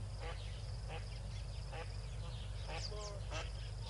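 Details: Yellow-billed duck with six ducklings at Tau Waterhole, 4 PM on 12 February 2022: short, harsh, quack-like notes at irregular intervals, with a few thin high peeps, over a steady low hum.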